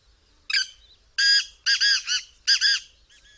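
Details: Black francolin calling repeatedly, a loud rasping, creaky rhythmic phrase of several buzzy notes in bursts separated by short pauses, with little background noise.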